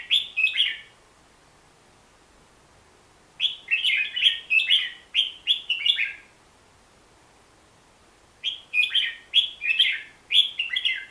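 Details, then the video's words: Hook-billed bulbul, a forest bird of Borneo, repeating loud bursts of bubbly, slurred warbling notes in phrases about three seconds long, separated by quiet gaps of two to three seconds. "Suara Kicauan Si Merbah Jambul"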